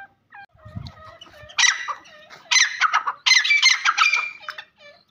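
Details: Irani Black Francolin calling: loud, harsh, grating bursts in three rasping phrases, with faint thin whistles from other birds in the background.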